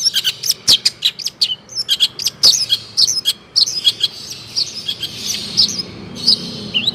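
Long-tailed shrike giving a fast, varied song of sharp high chirps, scratchy notes and whistled phrases in quick bursts, with little else heard.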